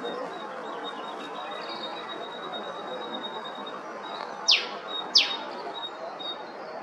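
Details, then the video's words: Queensland, Australia, Eastern spinebill: two quick, piercing downward-slurred notes about half a second apart near the end, following a long quiet stretch with a continuous thin whine and soft ambient rustle. "Eastern Spinebill Call"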